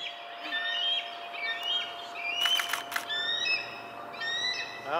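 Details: Bald eagle calls at a Centerport nest, 6 May 2019, during the mother's defence of her eaglets from a juvenile: high piping chatter series, broken by a burst of clicking noise midway, with a steady electrical tone underneath.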